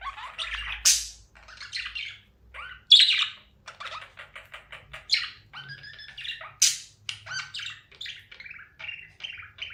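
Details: Happy budgerigars playing, chattering in a busy, scratchy stream of chirps, clicks and warbled squeaks.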